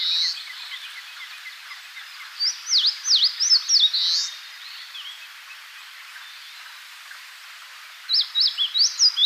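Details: An eastern crowned warbler in Tainai, Japan, sings its song, rendered chiyo-chiyo-bii: two bursts of high, buzzy, rapid notes, the second after a pause of about four seconds, with fainter bird calls behind.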